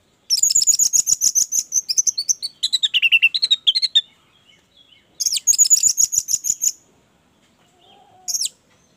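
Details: Orange-headed thrush lure song: long runs of fast, even, high chirps repeated about three per second, broken by a lower warbled stretch, then another rapid high series.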